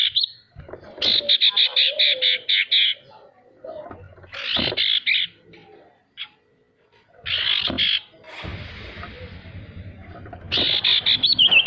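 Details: Male sirtu used to prompt lazy birds to sing: rapid series of sharp buzzy chips in stuttering bursts, pausing briefly between runs, with a faint low rumble in the background.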